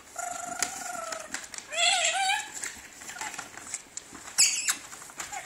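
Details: Pet blue-streaked lory, two years old, talking as it plays in a paper bag: a level whistled phrase, then a wavering, rising squeaky utterance, and paper crinkling throughout.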